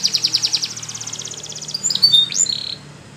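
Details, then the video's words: Canary training song: fast repeated trill of sharp notes, about three per second then quicker, ending in buzzy rolls and a rising whistled sweep. "The Canary's Voice Called"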